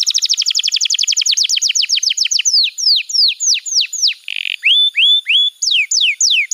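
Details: Canary song played as master training material for young birds: a rapid, fast-repeated high trill slowing into descending whistled slurs, a brief buzzy burst, then rising and falling whistles. Faint high background whistles.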